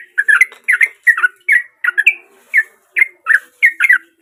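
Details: Lively sooty-headed bulbul song, offered as a lure for a silent bird; rich chortling notes in short separate bursts, about two per second, with faint low hum underneath.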